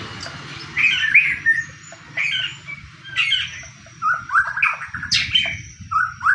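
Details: Fighting white-rumped shama singing to provoke rival shamas: short clusters of chattering and whistled phrases separated by brief pauses, with sharp high accents and a low background murmur.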